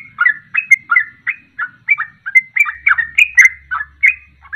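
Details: Ropelan of a sooty-headed bulbul, a lure song to get birds singing along. Rapid sequence of chirpy, bubbling whistled notes with a faint low hum in the background.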